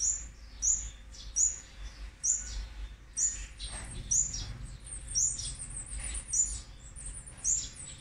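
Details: Olive-backed sunbird nestlings of a fourth brood, on day 18 of being fed (8 March 2020), give thin, very high chirps roughly once a second over a low background hum.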